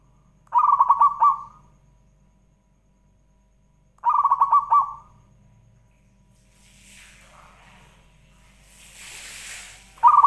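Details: Zebra dove song played as a lure to make other doves sing: low, rolling trilled coos, each about a second long, repeated roughly every three and a half seconds, with faint rustling and background noise between phrases.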